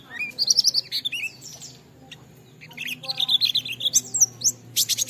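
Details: Oriental white-eye singing clearly, played to prompt other white-eyes to respond: long rapid chattering runs of high buzzy trills and slurred whistles, rising and falling, with a short lull midway and faint low background hum.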